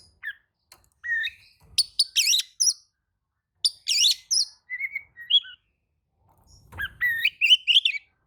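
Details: Oriental magpie-robin singing excitedly in reply to another magpie-robin's song: varied clear whistles, sharp rising and falling notes and brief chattery bursts in separate phrases with short pauses.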